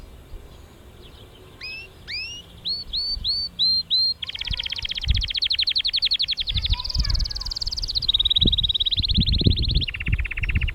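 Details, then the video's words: Canary song recorded in Mesaria village, Santorini: a run of short upslurred whistles, then fast buzzy trills switching to a higher roll and two lower steady rattles, with some low knocking sounds in the background. "santorini canary singing"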